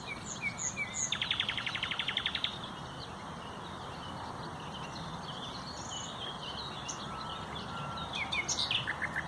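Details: Common nightingale, a bird of dense undergrowth with loud, very melodious, long song, recorded 30 April 2021: a fast rattling series of about fifteen evenly repeated strokes, then softer twittering and scattered high notes over faint background noise.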